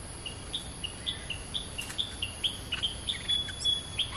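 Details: Caged decoy Stripe-throated Bulbul tried in a new decoy cage gives short, bright chirped notes about twice a second, alternating higher and lower pitches, over a steady high electrical hiss.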